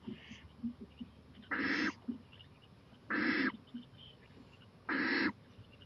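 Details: Owl at night, 11:26 pm on April 23, 2018, on a porch and eyeing a playground. Three harsh, hissing bursts, each about a third of a second long and spaced roughly 1.5 seconds apart, with faint clicks between them.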